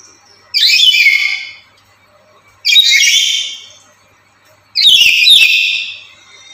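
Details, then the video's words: Very active caged lory, kept as a lure and tutor bird for other lories, giving loud harsh screeching calls about a second long, repeated every two seconds with quiet gaps between. "Inilah Burung Nuri Yang Paling Cerewet Dan Lantang"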